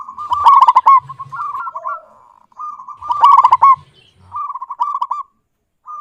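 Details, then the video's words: Zebra dove, a local bird with a clear voice, delivering two loud rolling coo bursts about three seconds apart. Each is trailed by quieter rapid, bubbling coo series. "Perkutut lokal GACOR suara jernih"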